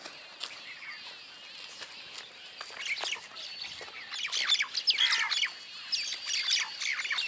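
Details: Common myna around Jal Mahal, Jaipur, in December 2021, with Bank Mynas nearby, gives harsh squealing chatter and gurgling chuckles in rapid, uneven bursts, growing louder and busier toward the end.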